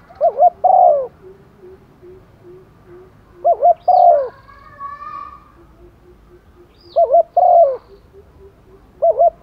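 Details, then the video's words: Female spotted dove, a decoy bird, calling to males in the rainy season: wavering two-note coos followed by a longer falling croo, repeated about every three seconds, with soft low ticking notes between phrases and a brief higher whistle. "chim cu mái mồi gáy gọi chim trống mùa mưa, tiếng chim cu mái, cu gáy mái"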